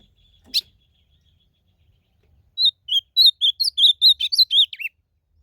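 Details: Blue-black grosbeak singing in a song contest in the wild: one sharp high chip, a pause, then a fast warbled phrase of about a dozen high, slurred whistled notes over two seconds, ending on a falling note; quiet background.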